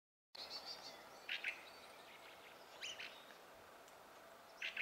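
Fieldfare song: short bursts of harsh, squeaky chattering notes, three groups a second or two apart, over a steady high hiss.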